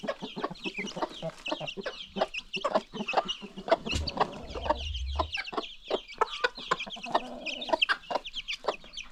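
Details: Free-range chickens with new baby chicks on a farm, producing a dense stream of quick clucks and high peeps over nine seconds, interrupted briefly by a low rumbling thud.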